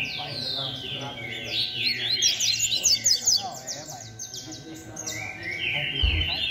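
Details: Rusty-collared seedeater singing in the 'beco' style while competing against other birds: fast, dense run of high twittering and buzzy slurred notes, with a steady hum underneath.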